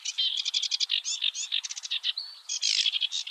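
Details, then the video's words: A Eurasian reed warbler sings early in the morning at Oostvaardersplassen, the Netherlands, in 2023: a fast, chattering run of grating and churring notes, each phrase repeated two or three times before changing. "Singing Eurasian Reed-Warbler"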